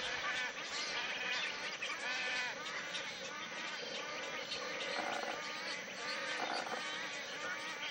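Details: Wood storks at a nesting colony, from mating displays and nest building through chicks growing to fledging; a dense, continuous chorus of harsh, nasal, bleating calls overlapping throughout, with no pauses.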